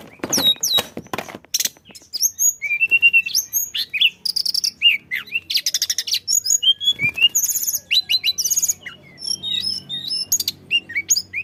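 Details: Extended flycatcher song, meant to get other birds singing: dense, varied phrases of sharp chirps, buzzy trills and swooping whistles pouring out almost without pause, with a faint low hum.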